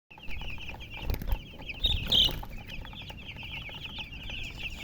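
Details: Baby chickens chirping together, a dense chorus of thin, high peeps running nonstop, with a few louder sharp chirps and soft bumps and rustling underneath.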